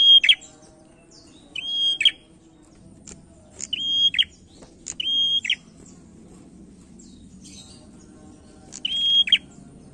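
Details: Male prinia singing as a lure for other birds: five whistle-and-buzz phrases in irregular bursts with a long pause before the last, each flat whistle ending in a crackling buzz.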